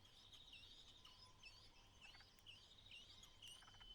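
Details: Mother White-browed laughingthrush calls her only chick out of the nest on its final day there: soft dipping chirps repeat about every half second over a steady high insect-like whine, with faint chatter behind.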